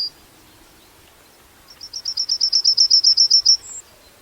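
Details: Yellowhammer giving a rapid run of about fourteen thin, high, evenly repeated notes that end in a drawn-out, higher-pitched final note; faint steady hiss behind.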